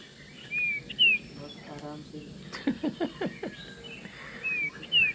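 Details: Common Iora in Western Ghats forest canopy near a homestay clearing in early morning, giving short, bright, rising whistles in pairs about half a second apart, with bursts of lower, harsher chattering notes between.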